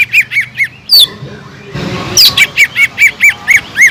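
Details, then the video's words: Sumatran leafbird in gacor song for stirring up other birds: evenly spaced arched whistled notes, interrupted by a soft rushing noise, then resuming the same rhythmic whistling. "PANCINGAN CUCAK IJO GACOR INI SANGAT EFEKTIF BUAT CUCAK IJO KURANG EMOSI"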